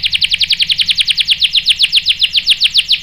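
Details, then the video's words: Canary song used to provoke canaries into rolling: a rapid, even series of short, bright, downward-slurred notes, about seven per second, without a break. "PANCINGAN KENARI GACOR bikin EMOSI jadi NYAUT NGEROL TAJAM | CANARY SINGING"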